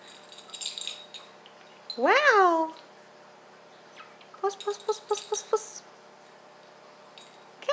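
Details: A 1.5-year-old male pet pink-and-grey galah indoors gives one loud, harsh, rising-then-falling screech, then a quick run of short, clipped notes, while his owner praises him.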